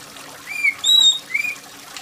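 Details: Oriental magpie-robin giving three loud whistled notes, a rising slur, a long steady high whistle and a short upslur, with gentle rain and trickling water behind; used to encourage silent kept magpie-robins to sing.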